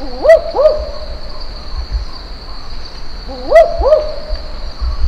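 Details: Barking Owl in the Top End of Australia's Northern Territory gives paired, dog-like 'wook-wook' barks about three seconds apart over a steady high insect drone; heard distantly, it can sound like a pack of dogs.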